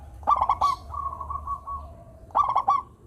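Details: Local zebra dove song for stirring lazy doves to sing: a quick stuttering series of bubbling coos, a sustained level note, then another rattling coo burst after about two seconds, with a low hum underneath.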